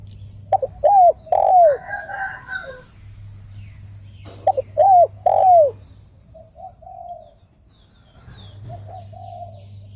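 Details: Spotted dove giving its coo phrase twice, short notes leading into longer falling coos, with a softer quieter coo later and a steady low hum in the background.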